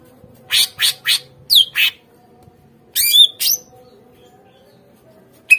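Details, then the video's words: Greater green leafbird song serving as a lure to get captive birds responding and singing: three harsh rasping bursts, two sharp squeaky notes, then a pause before a scratchy phrase with a whistled twist and a final harsh note. "PANCINGAN SUARA CUCAK IJO | AGAR CUCAK IJO BAHAN MAU NGERESPON DAN GACOR"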